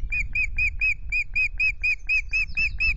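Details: Osprey pair at their Loch Garten nest, Scotland, on 10 May during the first changeover of incubation with two eggs: a steady string of clear, slightly downslurred whistled notes, about two per second, over low rumbling background noise.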